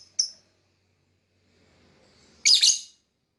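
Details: Lovebird giving a single sharp high chirp, then after a pause of two seconds a louder, raspy, shrill chattering burst.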